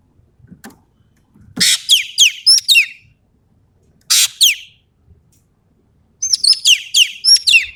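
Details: Sumatran common green magpie singing actively in full voice with 'tembakan' shooting phrases: two bursts of harsh, squawky notes mixed with sharp downward-sweeping whistles, repeated after short pauses, plus a softer tail of rapid chirps.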